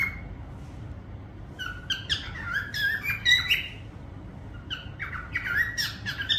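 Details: Parrot whistling indoors: bursts of bright whistled and chirping notes with sliding tones, in two clusters separated by a quieter gap, over a low steady background hum.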